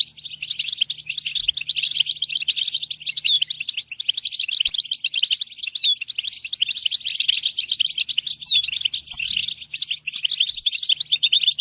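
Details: Sustained goldfinch song for stimulating goldfinches to sing: long flowing stretches of rapid, jingling twitter repeated in waves, with occasional rising whistled notes and a faint low hum beneath.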